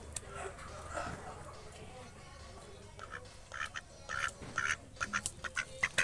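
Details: Pet duck giving a series of short, nasal quacks, sparse at first and then coming faster and louder in the last two seconds, with faint background sound throughout.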